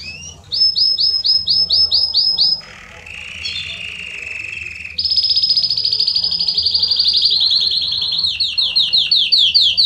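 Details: Belgian canary singing in the estourado style, used to warm up other canaries: rapid repeated chirps, then a low steady buzzy trill, then a long fast rolling trill that breaks into rising chirps at the end.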